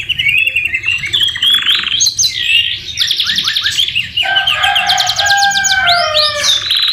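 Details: Canary song stuffed with white-rumped shama (murai batu) phrases for tutoring: continuous varied high trills, buzzy rattles and a long low whistle, delivered in a dense, unbroken stream.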